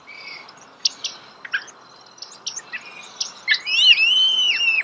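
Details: Starling singing close by: scattered short chirps and clicks, then a bright rising-and-falling whistled phrase held over the last second, with a faint steady hiss behind.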